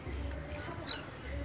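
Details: Blue-black grassquit singing a single short, buzzy, very high burst lasting about half a second, sliding downward at the end, over quiet background.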